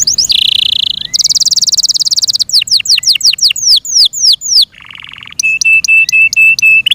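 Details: Yorkshire canary singing loudly: a buzzy trill, a bright sustained rolling trill, descending whistled sweeps in quick succession, a lower buzz, then evenly spaced clipped notes.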